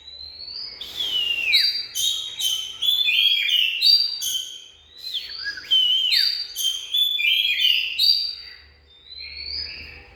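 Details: Oriental magpie-robin singing continuously: clear whistled notes, many sliding downward, interleaved with crisp chips in quick varied phrases, with a short pause midway; faint low rumble in places.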